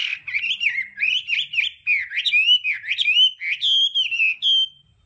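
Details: 'Đảo âm' song of a Hwamei, meant for voice training: an unbroken run of rising and falling warbled whistles, bright and fluid, closing on a long sustained high note.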